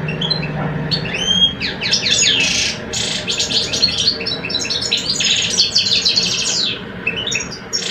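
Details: Competing song of two caged male European goldfinches in Algeria, a mature male and a two-year-old. A few high whistles lead into a long, unbroken stream of buzzy rattles and fast chirps, with faint low hum.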